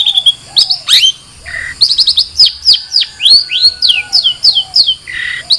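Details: Long-tailed shrike delivering a busy, varied song: quick series of downslurred whistles and chips, harsh buzzy notes, and soft low whistled elements woven through the phrase.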